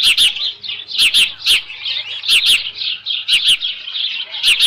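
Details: At a ranch nest on 13 June 2018, near 11:37 AM, with leftover fish, an osprey gives high whistled chirps in loose pairs roughly once a second, each sharp and slightly descending, over a faint low hum.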